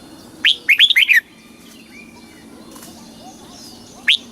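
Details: Caged Red-whiskered bulbul in Thailand, southern-style song used to excite caged birds and train young ones; one quick run of five liquid whistled notes, then near silence, and a fresh rising whistle at the very end.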